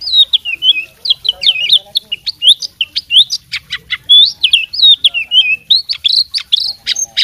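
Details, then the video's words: Oriental magpie-robin fighting bird singing energetically with mastered song fill: rapid, high, varied whistles, trills and sharp clicks delivered nonstop, with frequent downward slurs and scratchy notes mixed in. "suara kacer petarung bongkar isian gacor full masteran"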